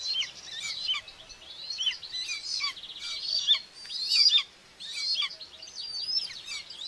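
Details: Common buzzard mother feeding two chicks at the nest in Tiszalök, Hungary, June 2, 2024, nest camera: busy, overlapping high whistles and short slurred notes, with one brief quiet gap.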